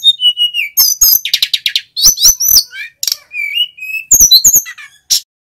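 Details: Male mountain flycatcher, singing as a lure for untrained birds: thin level whistles alternate with quick high twitters and clicking rattles, delivered loudly and almost without pause.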